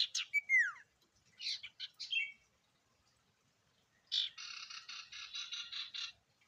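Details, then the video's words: Common iora (sirtu) in full song, used as a lure to set other sirtu singing: a sharp downward whistled slur and buzzy notes, a pause, then a fast, even rattling trill lasting about two seconds. "Burung sirtu gacor Variasi Isian Siulan Paling Mewah!"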